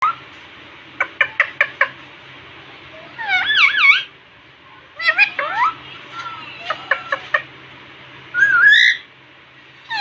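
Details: Pet Indian ringneck parakeet talking non-stop in a cute voice in front of a mirror indoors: quick clicking taps, then wavering, warbling voiced phrases rising and falling, with a sharp upward squawk near the end.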